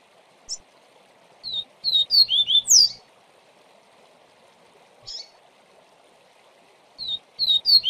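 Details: Double-collared seedeater (Sporophila caerulescens) giving its viviti song in short bursts of high, sweet whistled and slurred notes, phrases separated by pauses, over a steady low hum; played with intervals for tutoring young birds.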